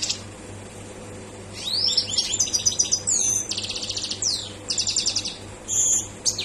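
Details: European goldfinch in highly excited song: a rapid run of bright twittering notes, buzzy trills and rising slurred whistles, with short pauses between bursts, then a final sharp burst near the end.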